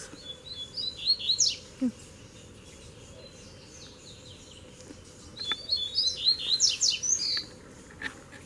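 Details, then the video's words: Rival male Double-collared seedeaters duel after three arrived at once. Two separated bursts of quick, high, sharply slurred notes stand out over a steady background hiss. "VEIO 3 COLEIROS BRIGAR DE UMA VEZ SÓ DUELO DE FIBRA!!!"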